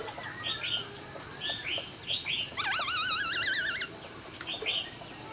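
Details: At dawn a laughingthrush gives a rich, wavering trilled whistle lasting over a second, rapidly warbling up and down, set among repeated short high chirps before and after.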